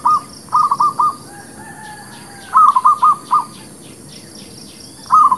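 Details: Lure song of a zebra dove for trapping birds: three groups of quick, rolling cooing notes, three or four per group, separated by pauses of over a second, with faint high ticking behind.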